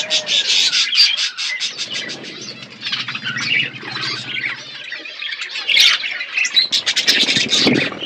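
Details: Budgerigars eating seeds in a natural outdoor aviary: rapid, pulsing chatter and squeaky chirps from a flock, loud bursts at the start and end with a quieter, murmuring stretch between.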